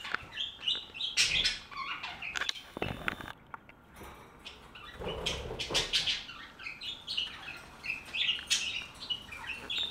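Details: A flock of budgerigars chattering: dense overlapping chirps and warbles, high and scratchy, with short broadband rustles and clatter, a brief lull in the middle, then the chatter builds again.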